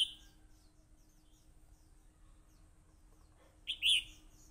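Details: Fighting song of a red-whiskered bulbul: a clipped warble tail at the start, then quiet with a low hum, then one loud, bright, slurred phrase near the end.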